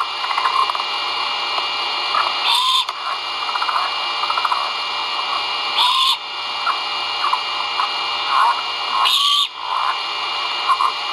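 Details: Nest-camera recording from 1.04.2022 of great horned owl chicks vocalizing while being fed. Three harsh, hissing screeches, each with a short upswept tone, are irregularly spaced over steady hiss and scattered soft clicks.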